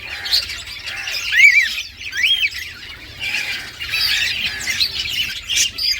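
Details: Talkative green rose-ringed parakeet, a pet talking parrot, chattering in speech-like bursts: raspy syllables mixed with clear arched whistles, nearly continuous and uneven in loudness.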